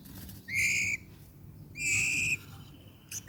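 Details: Albino white-rumped shama with red eyes, giving two long, steady, pure whistled notes about a second apart over a low background hum.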